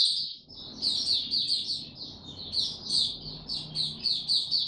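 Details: White-eye in song during warm, very humid weather, pouring out fast high twittering notes in a steady stream over faint low background rumble.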